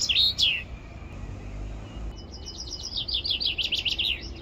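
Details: A Common Chaffinch gives its spring song on the banks of the Adige river, Vallagarina, Trentino: a bright, accelerating series of descending notes, with another high note opening the clip; faint background noise.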